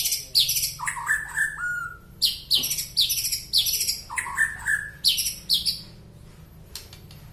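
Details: White-rumped shama from Penaron, East Aceh, singing an unusual song: loud repeated phrases of a high sharp note dropping to lower whistles, given about once per second.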